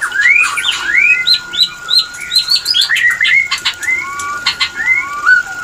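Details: White-rumped shama mating sound, played as a lure to bring shamas into breeding readiness: loud clear whistled phrases, upslurred and downslurred notes repeated in quick sequence, over a steady faint tone and scattered clicks.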